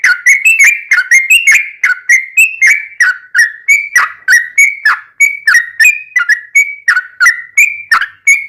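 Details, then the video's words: Yellow-vented bulbul pouring out a continuous ropelan song with ngelituk fill, meant as a tutor and lure for bulbuls at home: steady stream of bright, clipped whistles, some rising and some falling, roughly three per second. "Trucuk Kicau istimewa Ropelan Tembus-tembus isian Ngelituk Cucak Rowo'an"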